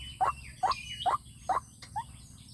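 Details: Lure call of a white-breasted waterhen, meant to attract wild waterhens: four strong, quick, rising notes at a steady pace, then a softer fifth, over low rumbling noise and faint high twitters.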